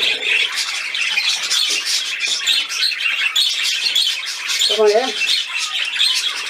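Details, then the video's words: Budgerigars at play, keeping up a dense, steady warble of scratchy chirps and high twittering notes, with a short burst of human speech near the end. "Der Wellispielfilm"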